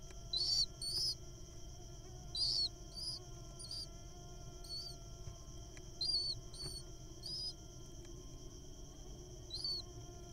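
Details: A wild little owl nestling being fed a mole cricket gives short, shrill, wheezy squeaks in irregular bursts about every second, against a steady high-pitched whine and low rumble.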